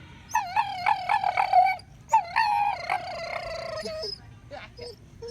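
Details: A pet male Nova Scotia Duck Tolling Retriever, happily chewing his bone and not sad, gives wavering, whiny, howl-like moans in two long bursts.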